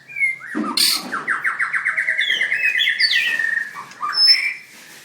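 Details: Caged white-rumped shama singing at a contest: a sharp opening note, then a fast even series of about fifteen repeated whistled notes on one pitch, followed by higher varied whistles.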